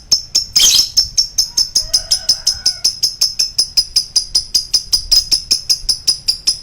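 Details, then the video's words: Lovebird giving a long choking song: a steady run of sharp, high chirps repeated about two or three times a second for the whole stretch, with a brief lower warbling in the middle. "Love bird long choking"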